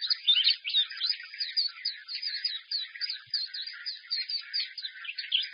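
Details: White-eye in a cage carried by hand, belting out a loud, clear song rich in phrases (xiaoxu, swallow-call, sparrow-joy styles): rapid high warbling of short slurred notes and chirps, steady and unbroken for the whole stretch.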